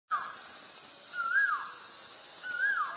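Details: White-vented myna (Acridotheres grandis) in Ubon Ratchathani, Thailand, 25 March 2022: clear whistled notes that rise and then fall, one at the start and two more about 1.3 seconds apart, over a steady high insect drone.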